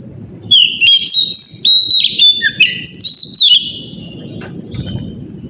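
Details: Oriental magpie-robin singing a loud morning lure song to spur other birds into song. Fast, varied whistled notes tumble downward in a quick sequence, then fade, leaving a low steady murmur with a soft click.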